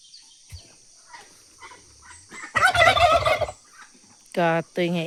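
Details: Roaming geese coming back home: soft scattered calls, then a loud harsh burst of overlapping cackling for about a second, followed by two deep, nasal, strongly harmonic honks near the end.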